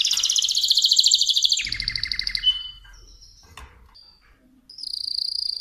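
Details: Mosaic canary song: a loud rapid rolling trill shifting to a lower chattering series, brief quiet, then a fresh high trill starting.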